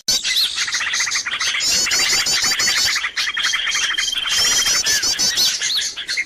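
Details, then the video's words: Noisy lure sound of many birds meant to attract birds, packed with rapid chattering trills and sharp high chirps that overlap continuously, plus a thin level whistle midway and only a short dip in loudness. "SUARA PIKAT BURUNG RIBUT DIJAMIN BURUNG LANGSUNG DATANG"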